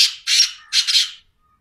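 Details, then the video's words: Black francolin (kala teetar) calling: three loud, harsh, grating bursts in quick succession, the second and third split into rasping double notes, then silence; no other clear sounds. "Black francoline teetar sound"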